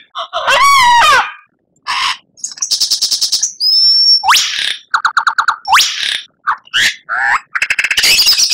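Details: Captive-bird training song of an Oriental magpie-robin, rich in varied phrases: wavering whistles, rapid clicking trills, a sharp rising sweep, and dense chattering runs with short pauses between.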